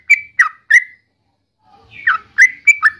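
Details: Yellow-vented bulbul gives three quick slurred whistles, goes quiet for about a second, then adds another short group of bubbly, down-curving notes.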